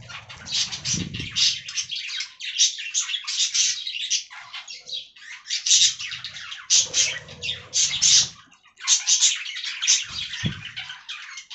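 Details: Budgies eating fresh greens produce a lively mix of shrill chirps, raspy squawks and twittering phrases in uneven bursts, with occasional low knocks and rustling.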